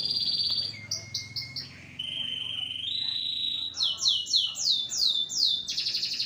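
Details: Agitated canary giving a varied song: brief high notes, a long steady whistled tone, then bursts of sharp descending swept notes and a closing rapid trill.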